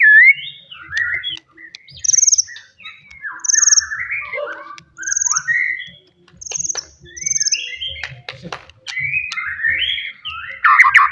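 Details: Wild forest white-rumped shama singing loudly to stir rivals: varied warbled whistled phrases repeated in bursts, high thin notes between, with faint low background rumble.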